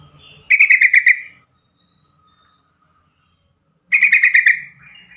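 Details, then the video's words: Yellow-vented bulbul calling, a call described as quickly answered by other bulbuls and helpful for stressed or stuck birds; two strong bursts of fast bubbly notes, roughly a second long, about three seconds apart. "trucukan call"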